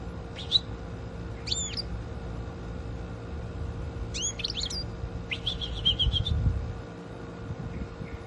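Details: Hand-reared pet European goldfinch living indoors, answering its owner's voice with separate bursts of bright, high twittering. Each burst is a quick cluster of sharp chirps, followed by pauses, against a constant low hum and faint background rumble.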